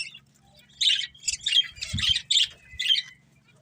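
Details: Budgerigar breeding pair giving a series of about six raspy squawky chirps in close succession, each short and harsh, after a quiet start, with a soft knock in the middle.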